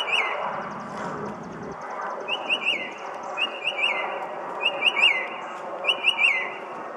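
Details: Northern mockingbird in an Arlington, Virginia parking lot, June evening: brisk repeated two- and three-note chirped phrases, each phrase repeated about four times in a row, with a steady background hum of traffic.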